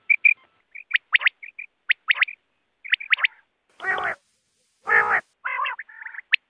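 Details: Quail for net hunting, uttering bright rising chirps in twos and threes, interrupted by two loud, harsh nasal notes rich in overtones, then a wavering buzzy phrase and a final chirp.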